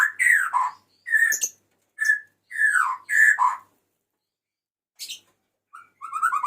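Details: Male white-rumped shama calling to a female: short, clear whistled phrases with slurred falling notes, separated by pauses, and then a few softer high notes.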